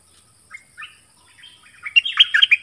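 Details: Dok taeng bird singing against wild rivals: a few separate soft whistles, then a sudden loud, busy flurry of high warbling notes at the end.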